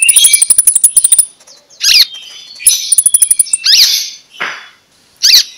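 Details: Oriental magpie-robin (konin) singing loudly in the morning to excite sluggish birds. Rapid buzzy rattling trills alternate with harsh scratchy bursts. One softer rasping note is followed by another loud harsh burst.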